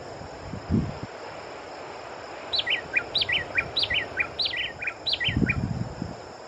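A Long-billed Wren sings rapid, rhythmic phrases of clear whistled notes that drop in pitch, repeated for about three seconds, over a steady high insect hum and a few low thumps.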